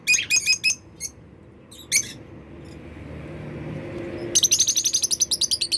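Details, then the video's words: Pet African lovebirds with unclipped wings fly freely and make happy sounds: shrill, high chirps in quick bursts, then a fast run of sharp, evenly spaced notes near the end, over a faint low room hum. "Happy lovebirds making sounds"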